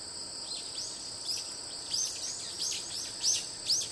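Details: Asian brown flycatcher on 28 September 2016 giving thin, high, sharp chirps, about one or two a second at uneven intervals, growing louder toward the end, over a steady high-pitched drone of crickets.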